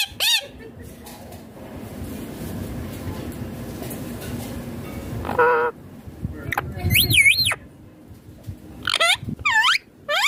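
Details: Green ringneck parrot, a rose-ringed parakeet, making sounds while eating food: a few scattered squawks, then wavering, swooping shrieks and squeals in the second half, over steady low room noise.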